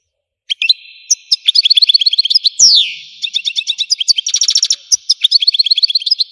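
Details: Algerian goldfinch in full song: twittering runs of quick high chirps, a drawn-out descending slur midway, and a buzzy rattling burst before further rapid tinkling notes.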